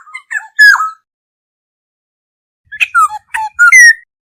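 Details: Black-hooded oriole flock-calling lure sound: a harsh falling squawk with short lead-in notes, then after a pause a quick series of downslurred fluty notes ending in a rising whistle.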